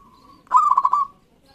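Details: Local zebra dove, a bred bird, singing loudly, played to coax quiet doves into song: a single cooing phrase of about half a second, a soft lead-in breaking into four or five quick pulsing, rolling notes that fade out.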